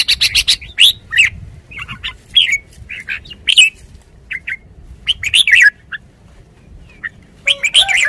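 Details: Red-whiskered bulbul in a cage, kept as a decoy bird, singing quick runs of crisp chirped notes and short whistled slurs, pausing briefly, then ending with another lively burst.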